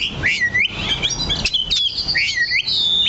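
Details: Perched oriental magpie-robin (kacer) giving clear whistled phrases: drawn-out falling-then-rising slurs repeated twice, broken by a brief sharp chip and short high notes.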